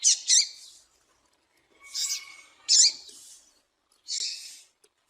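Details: Female double-collared seedeater (papa-capim) calling, used to excite and stimulate males: short, bright, buzzy high chips in four bursts, some paired, spaced about a second apart, with a faint thin steady tone underneath.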